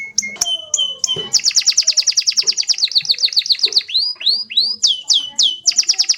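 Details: Canary in rolling song: clicks and short whistles lead into a fast run of repeated high notes, then slow, looping rising whistles and a final quick run.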